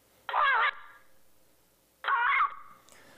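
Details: Yellow-naped amazon at a resurveyed site, apparently recorded around 2005, giving two harsh, raucous squawks of a regional contact-call dialect, each about half a second long and nearly two seconds apart, with nothing else audible.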